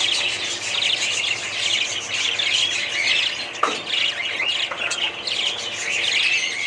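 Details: Budgie parrots chattering with high warbles and squeaky chirps, overlapping voices throughout and a single sharp click midway.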